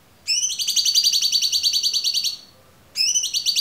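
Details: Clear cucak cungkok song intended for tutoring songbirds. A long, steady rattling trill of evenly repeated harmonic notes lasts about two seconds, followed after a pause by another trill.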